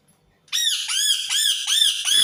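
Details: Indian ringneck parakeet screaming: after half a second of quiet, five loud, harsh, arched screeches follow in quick succession, each rich and grating, with no other sounds.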